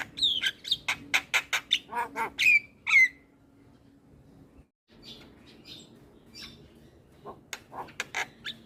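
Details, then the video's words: Javan myna chatter: rapid harsh notes and a pair of slurred whistles for three seconds, then a near-silent pause before scattered scratchy calls return. "Jalak kebo Super Cerewet Tak henti Bunyi Bikin Burung Lain Ikut Gacor"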